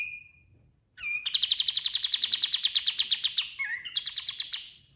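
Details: Master song of a kapas tembak white-eye for training other birds: a thin whistle, then a fast, sustained high trill for over two seconds, a brief warbled dip, and a second short trill.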